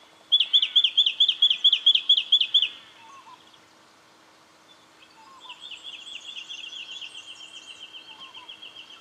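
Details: Brown treecreeper, Victoria, Australia, October 2011, delivering a fast series of about ten sharp, ringing notes, then after a short pause a long, softer, steady trill of rapidly repeated high notes.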